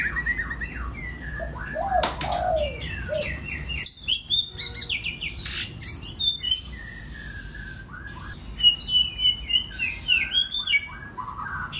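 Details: Varied song of a White-rumped shama, played to stir other birds to sing; mixed whistled slurs, rapid chattering notes and sharp upward sweeps in quick succession, with brief clicks and bursts of noise between phrases.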